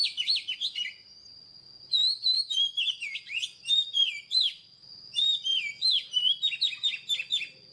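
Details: Oriental magpie-robin singing loud, varied phrases of clear whistles, downslurred notes and trilled chirps, delivered in three bursts about a second apart with a continuous high thin tone behind.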